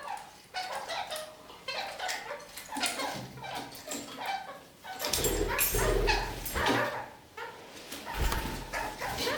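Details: Kakariki walking upside down along a ceiling while singing plenty: rapid, uneven squeaks and chirps at roughly one per second, overlaid midway by a loud low rumbling or handling noise.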